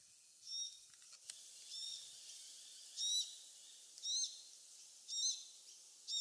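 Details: Glossy black cockatoo family with a fledgling feeding in casuarina trees near Bournda Nature Reserve, Bega Valley, 19 November 2022 at 5.30 pm; short, high, wheezy harmonic calls repeat about once a second over a quiet background.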